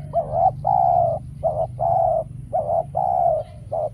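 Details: Spotted dove kept as a decoy calling during trapping, no wild doves appearing; clear rhythmic cooing alternating short and longer hollow notes, about seven notes in four seconds, low hum beneath.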